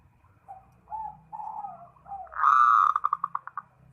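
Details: Zebra dove calling a rival: low soft coos rising into a long loud ringing note, then a quick run of short coos, with a faint low hum beneath.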